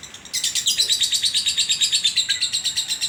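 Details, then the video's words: Ngekek of a lovebird that regularly wins bird contests in Sragen: after a soft start, a loud, fast, scratchy chattering trill begins and continues with steady rhythm. "Burung Lovebird durasi panjang 2 mnt kadang konslet"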